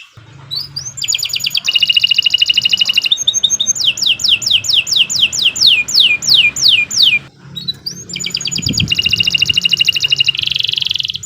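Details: Long canary song used for training birds: dense buzzy rolls, a series of steep descending slurs, then another rapid rattling trill, with faint low background hum.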